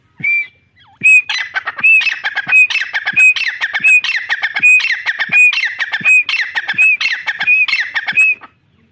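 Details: Grey francolin, called Irani teetar, calling: a loud, harsh, rapidly repeated phrase of rasping notes, each ending in a high clear whistle, repeated roughly every 0.7 seconds for about eight seconds, with sharp low clicks between phrases.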